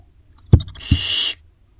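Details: Nest box C with barn owl owlets, 30 May to 4 June 2025: two dull thumps, then a single rough hiss lasting under half a second before quiet returns.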